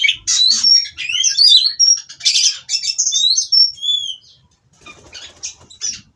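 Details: Breeding-farm Oriental magpie-robin (kacer) singing while mating to spur rivals: about four seconds of rich whistles, swoops and scratchy trills, then a quieter stretch with faint high chips.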